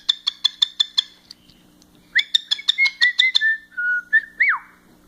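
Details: A pet male cockatiel, excited, gives a quick run of sharp chirps, then fluid whistles ending in a swooping note.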